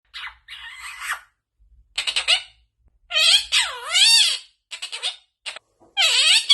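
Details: Pet parrot talking: squeaky, high, speech-like phrases with wavy, rising and falling harmonic tones, in short bursts separated by brief silences.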